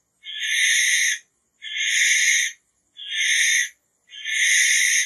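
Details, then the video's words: Barn owl repeating a harsh, rasping screech four times, each about a second long, separated by short silences of roughly half a second, with a clean quiet background. "Barn Owl Song! Barn Owl Call! Barn Owl Sound! - Lechuza Común / De Campanario Canto - Tyto Alba"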